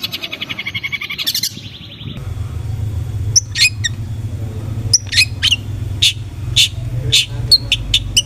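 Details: Long-tailed shrike (cendet) lure to excite aggressive singing: a short buzzy trill, then separated sharp, piercing high chips and squeaks over a constant low rumble.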